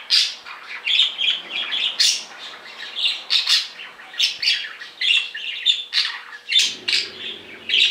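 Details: Pet budgerigars, two young males indoors, calling loudly when separated: continuous jumbled chatter of sharp chirps, squawks and warbled notes, a steady low hum in the background that changes near the end.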